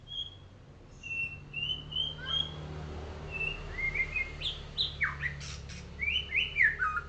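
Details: Morning song of a golden white-rumped shama set out to sun: a varied run of clear whistles, quick slurred notes and short bursts of rapid trills. A low hum persists beneath.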